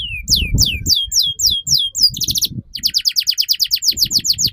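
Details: Canary song for training young canaries to sing: falling whistled sweeps, a brief buzzy burst, then a rapid rolling trill of repeated notes, with faint low background noise.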